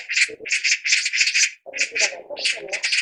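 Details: Rapid, harsh magpie chatter: rasping notes strung into dense rattles, a short break, then more raspy bursts, with lower throaty murmurs underneath.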